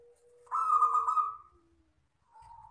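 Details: Local wild zebra dove singing the long crystal-style perkutut song. A soft low note leads into one loud, rolling, purring coo about a second long, followed by a quiet trailing tone.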